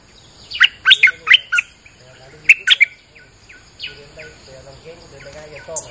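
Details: Rain-day bulbul lure song: two bursts of loud, clipped, twangy chirps, four notes then three, then quieter repeated downslurred whistles from farther off over a soft low warbling.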